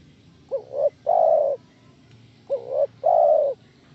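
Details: Spotted dove calling as a lure to draw other doves into answering: two phrases, each two short quick notes followed by one long, steady, mellow coo, about two seconds apart, over a faint low hum.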